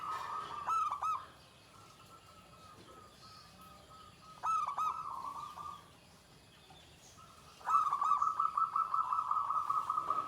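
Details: Shrill klare 'ke tek kuk' singing from a Pendowo Mijil zebra dove with a drawn-out finish: stuttering phrases that run into long level coos, ending in an extended, loud, rapidly pulsing trill.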